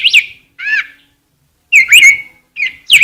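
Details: Rose-breasted grosbeak giving a few short, sweet whistled song phrases, one ending in a drawn-out whistle, with quiet gaps between them.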